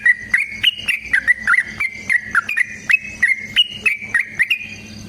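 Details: Long fighting song of a yellow-vented bulbul, used to spur other bulbuls to sing; quick, gurgling notes follow one another steadily, three or four each second, wavering up and down.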